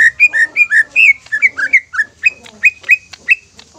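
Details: A greater green leafbird sings to provoke other leafbirds to sing. It gives a steady series of clear, mellow whistled notes, some rising and some falling, about three each second, with faint higher overtones.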